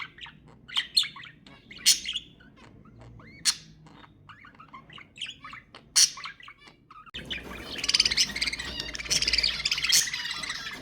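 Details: Budgerigar calls played to stimulate mating: sharp chirps and rapid warbled squawks, fairly sparse for seven seconds, then a dense, continuous chattering chorus of several birds.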